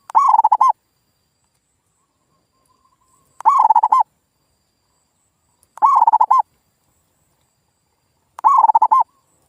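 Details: Local zebra dove lure call, played to provoke silent birds into answering and calling again. Four loud, rolling, warbled coos, each about 0.7 seconds long with a rippling trill, recur every 2.5 to 3 seconds with near silence between.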